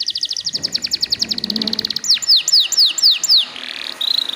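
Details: Canary singing to stimulate untrained young canaries: a rapid high trill of even notes, then a series of clear descending whistled slurs, and a brief buzzy phrase near the end.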